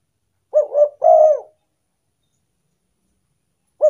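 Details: Spotted dove cooing used as a lure for wild doves: one phrase of two short soft notes and a drawn-out coo, then quiet until the next phrase starts at the end.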